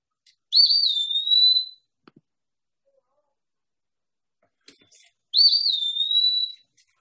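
An Eastern Wood-Pewee gives two clear, high, slurred whistles, each rising briefly then drawing out slightly lower, about five seconds apart, a plaintive 'pee-wee'.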